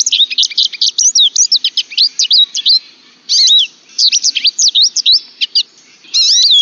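American Goldfinch singing a fast, jumbled run of high, sweet twitters and slurred notes, delivered in bursts with brief pauses and no other sounds.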